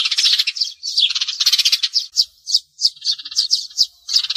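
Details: Sparrows used to draw birds to glue traps, with rapid twittering that breaks into distinct sharp chirps spaced a fraction of a second apart, ending in a short burst of chatter.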